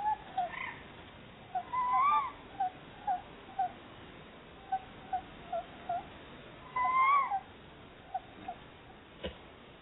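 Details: A pair of Tawny Owls inspecting a Somerset barn owl nest box as a possible new nest site chatter together: a steady run of short soft notes, twice broken by a louder rising, wavering call, then a faint knock.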